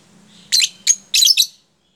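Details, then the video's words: Lovebird used as a lure for teaching a tight song style: three short bursts of shrill, harsh chirps over about a second, with a faint low hum behind. "pancingan LOVEBIRD jeda rapat..ampuh untuk mengajarkan lovebird supaya ikut jeda rapat"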